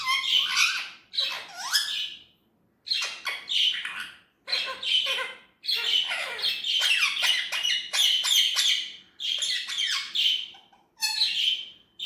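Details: Indian ringneck parrot talking in bursts of harsh, chattering syllables, several short phrases separated by brief silences, shrill and strongly nasal in tone.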